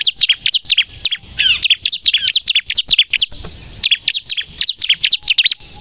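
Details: Energetic 'nembak' song of a bar-winged prinia, meant for luring birds and prompting untrained captive ones to sing: quick high chirps with some downslurred notes, delivered in short rapid bursts separated by brief gaps.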